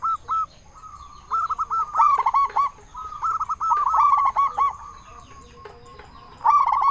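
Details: Zebra dove of the local type, used to stir up and lure others of its kind. Rippling bursts of quick, clipped coos come in groups of several notes, separated by short pauses.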